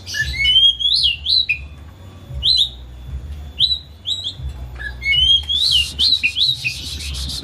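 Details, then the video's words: Home-kept Oriental magpie-robin, caged and agitated, singing to provoke another bird into song: short groups of bright whistled upslurs and downslurs separated by pauses, with a low hum and a brief rattle near the end. "Kicau Kacer Rumahan Emosi Buka Ekor Ngeplong Terus"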